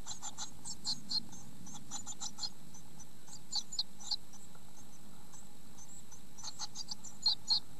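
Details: Two-week-old Eurasian blue tit chicks in a nest, well feathered but not yet ready to fledge, very noisy: thin, high, hissy begging notes in clustered bursts over a steady low hum.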